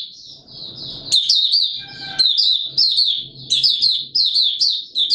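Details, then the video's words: Warm humid weather; a white-eye opens its song with a soft high twitter, then sharp-edged warbling bursts repeated about every second, with faint clattering and low background noise beneath. "Mata Puteh Raja Video 1 buka sing warm humid weather"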